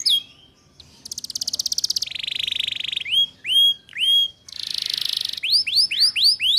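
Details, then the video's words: Canary lure song for young canaries learning ngeriwik, said to be a female calling males: long metallic rattling trills and buzzy bands broken by single swooping whistles that rise then fall, ending in quick repeated arches. "Suara Pancingan KENARI Paud Cepat Belajar BUNYI Ngeriwik"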